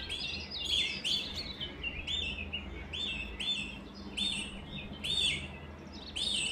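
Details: Singing canary delivering clustered chirps and arched whistled notes, some phrases starting with sharp upward flicks, spaced about a second apart against a faint constant low drone.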